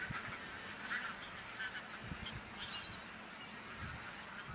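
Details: Large wild flock of bean geese in a field on Texel, Holland, November 2014. Many birds honk at once in a continuous, busy chatter, a few nearer calls standing out, over low rumbling noise.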